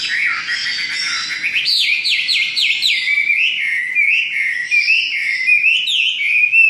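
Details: Chinese hwamei, a bird from southern China whose males are skilled singers and imitate other species; loud continuous song of rapid downslurred whistles in a fast series, then warbling rising and falling phrases.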